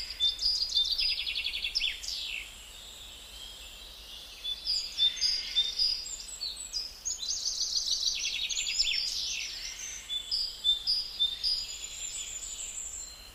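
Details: Gouldian finch (Chloebia gouldiae), song.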